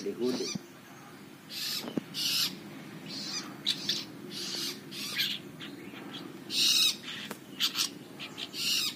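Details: Young long-tailed shrike outside its cage, singing actively: harsh, scratchy bursts and chattering notes in irregular clusters, some bright chirps, over a low steady hum.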